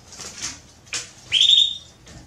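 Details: A female Belgian canary asking to mate gives one drawn-out, high, level whistled call with a sharp start, preceded by soft rustling and wing-flutter sounds.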